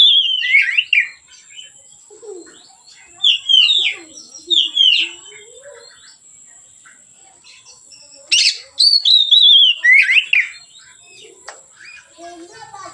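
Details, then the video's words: Kacer (Oriental magpie-robin) singing relaxed ngeplong phrases used to lure and tutor other birds; scattered short whistled downslurs separated by quiet gaps, a louder burst of sweeping whistles near the end, steady faint high whine. "suara Kacer ngeplong santai, pancingan / masteran Kacer"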